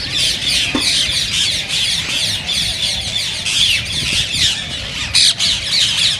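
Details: Green ringneck parakeets, the call said to stimulate other parakeets to sing and mate: a dense, continuous high chattering and screeching from many birds, with sharp squawks standing out near the end.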